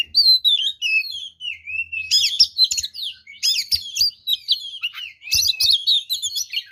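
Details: Oriental magpie-robin in full fighting song, used to provoke other magpie-robins: opening run of descending sweet whistles, then loud bursts of harsh chirps and warbles repeated about every second.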